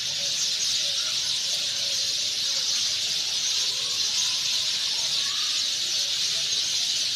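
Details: Evening roost chatter of Sind sparrows settled in nests in trees as night approaches: an unbroken wash of shrill overlapping chirps from many birds, steady throughout.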